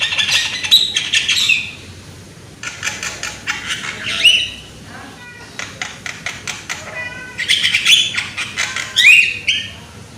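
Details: Young, loud Javan myna in a song-prompting recording gives varied phrases: harsh wheezy chatter, quick clicking runs and bright upslurred whistles, broken by short pauses.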